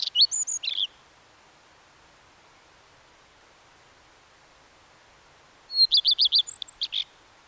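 A common redstart sings two short, high phrases several seconds apart, each a quick run of repeated sweet notes ending in a brief scratchy flourish.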